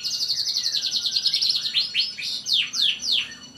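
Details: Canary master song, used to get other canaries singing: a rapid, even trill of high notes that shifts into a string of loud, downslurred sweeping whistles, roughly five in quick succession.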